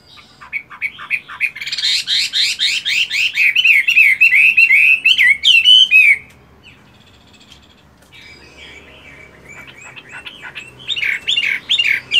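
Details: Morning practice song from a moulting caged hwamei kept for fighting: rapid run of repeated whistled notes building into a warbling trill for six seconds, a pause, then a fresh burst of loud looping phrases.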